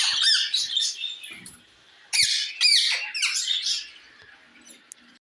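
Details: Parrot calling to another parrot with bursts of harsh squawks and screeches, a pause near the middle, then two loud raspy calls with falling sweeps before fading to quiet.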